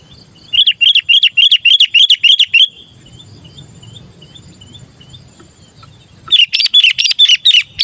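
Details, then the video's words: Chattering sooty-headed bulbul used to lure other bulbuls, giving about eight rapid, even bubbly notes, then a pause with faint chirps, then a dense burst of sharp, jumbled calls. "Suara Burung Kutilang Gacor Memanggil‼️masteran burung kutilang pikat"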